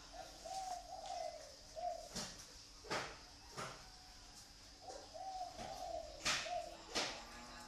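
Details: Captive zebra dove from Ba Vì near Hanoi, Vietnam. It sings two soft, staccato cooing phrases of beaded notes a few seconds apart, and repeated clacks and knocks sound throughout.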